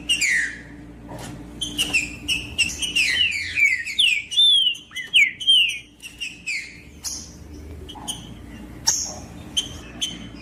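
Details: Green-winged saltator singing, clear whistled phrases of rising and falling slurred notes, several sweeping downward, repeated with short gaps over a steady low electrical hum.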